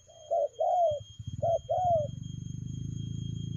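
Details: Spotted dove gives two fast 'lèo gù' coo phrases, each a short note then a longer descending one, before a loud low rumbling noise takes over.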